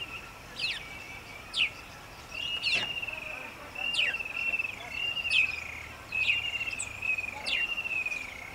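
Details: Nubian woodpecker at Bahir Dar, Ethiopia, filmed 18 June 2021, giving sharp, squeaky notes repeated about once a second over a steady high, buzzy trill, with faint background hiss.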